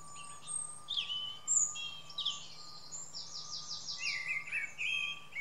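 Mistle thrush song: short, clear fluty phrases between brief pauses, over high twittering from other small birds and a steady background hum.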